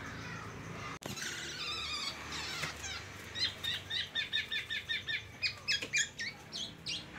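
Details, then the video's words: Black-naped oriole in teler song, reproducing white-rumped shama phrases: a fast run of sharp, repeated chirps and bright short notes, about four a second, over background hiss. "Burung kepodang teler, bongkar isian Murai batu"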